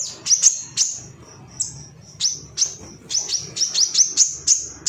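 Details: High, piercing chirps from an excited male ruby-cheeked sunbird searching for rivals, played to stimulate other birds: scattered single notes early on, then a quicker run of sharp tweets toward the end, with a quiet background.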